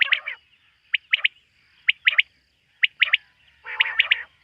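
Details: Quail calling in the night, a bird hunted locally: pairs and triplets of short, sharp notes spaced about a second apart, ending in a rougher, drawn-out rasp.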